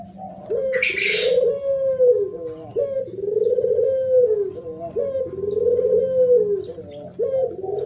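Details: Spotted dove in thổ pháp song, used to provoke males and females: repeated long, arching mellow coos with quick clipped notes between them, and a burst of high chirping near the start.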